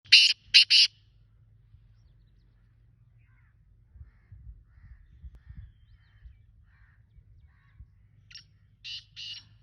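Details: Black francolin (kala teetar) calling: two quick bursts of harsh, grating notes at the start, then a pause and a further rasping group near the end, over a faint low hum.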